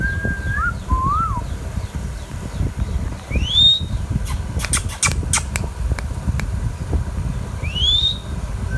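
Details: Young green Indian ringneck parakeet kept as a pet giving short wavering whistles and two sharp rising whistled notes, with several clicking taps between them and steady low-pitched hum throughout.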